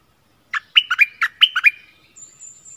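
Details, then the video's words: Streak-eared bulbul decoy bird, recorded 16 February 2021: one short, bubbly phrase of about seven rapid chirped notes, followed by a faint, high, thin buzz. "เสียงนกดอกแตงEp.32ร้องแบบนี้ นกป่าหายหมด!!! Burung merbah lekir gacor"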